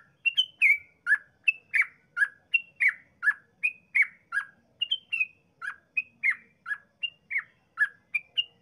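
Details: Yellow-vented bulbul giving continuous 'ropel' song to draw replies from other bulbuls: evenly paced bright chirps, downslurred lower notes mixed with short higher whistles.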